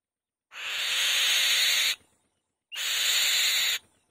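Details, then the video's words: Loud grating hiss-screams from a female white-tailed kite sitting on the nest. A longer scream of about one and a half seconds is followed after a short pause by a second, slightly shorter one with a thin rising whistle at its start. "White-Tailed Kite | The Female Bird Makes a Loud Noise On The Nest"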